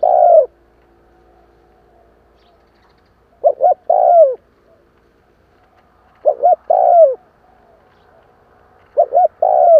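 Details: Decoy spotted dove used to lure and excite wild doves. Mellow coos come in phrases: a brief double note, then a longer falling coo. Four phrases sound over clear quiet gaps of about two and a half seconds.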